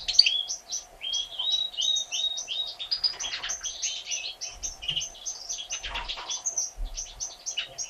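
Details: Mother European goldfinch feeding her three chicks one day after their 1 April 2017 hatching: quick runs of thin high squeaks and short whistled slurs, repeated steadily, with a couple of low soft thumps.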